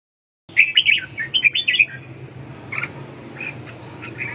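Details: Red-whiskered bulbul giving a quick burst of bright, chirpy warbled notes, followed by a few softer, scattered chirps after a short pause.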